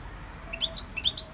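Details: Short burst from a caged European goldfinch under song training in a Victorian brass cage: a few fast, liquid, rising chirps climbing in pitch.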